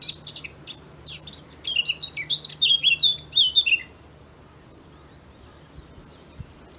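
A Eurasian blackcap's song: a quick scratchy warble that breaks into loud, clear fluty whistles for about two seconds, then quiet.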